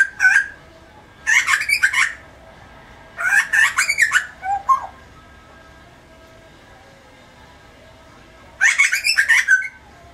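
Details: A grey butcherbird (Cracticus torquatus) calls in four harsh, chattering bursts about a second long, with rich mid-pitched notes, then falls quiet before one more burst.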